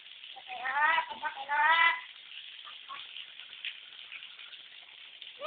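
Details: Lory giving a baby-like cry: two quick wavering wails in the first two seconds, followed by near-silence with faint hiss and a slight sound at the very end.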